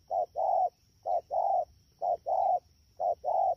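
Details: Spotted dove caught in the wild, recorded at Đak Tô, Vietnam, on 3 October 2019, cooing rapidly in four even pairs, a short note leading into a longer warm note, about one pair per second.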